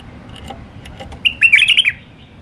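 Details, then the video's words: Wild white-eared bulbul from Iraq singing in the Alwazi song style: after a few soft clicks, one bright, rapid, warbled phrase of short rising and falling notes lasting about half a second, over a quiet low background hum. "تغريد بلبل عراقي وحشي طور علوازي راقي"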